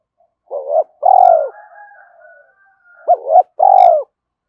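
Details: Spotted dove cooing, a recording for stirring up a decoy dove: two low, mellow coo phrases about three seconds apart, each a short stuttered double note followed by a longer falling coo, with a faint higher rasping sound between them.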